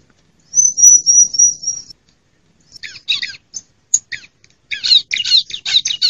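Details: Female bar-winged prinia, a recording used to lure wild birds and prompt quiet ones to sing: a thin, high, slightly wavering whistle held over a second, then bursts of dry, buzzy chattering notes repeated rapidly.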